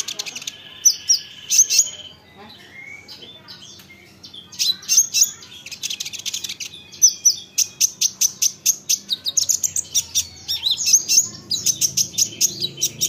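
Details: Olive-backed sunbird song played to provoke other sunbirds into answering: high buzzy trills and bright chips, then a long series of sharp, evenly spaced ticking notes, several per second.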